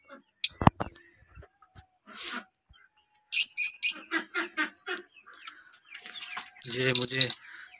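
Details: Pet lovebird with an eye infection, chirping as the owner says it is giving him a signal. Bursts of sharp, high chirps come in quick runs between a man's Hindi speech and a short thump.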